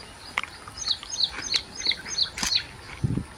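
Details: Baya weaver at its nest, weaving and attracting a mate, giving a quick series of short high chirps about every third of a second, with a few sharp clicks and a soft low thump near the end.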